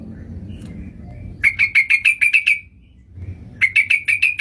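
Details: Sooty-headed bulbul lure for trapping: two fast bursts of clear chattering notes, each about eight to ten notes long, separated by a short pause filled with faint low hum.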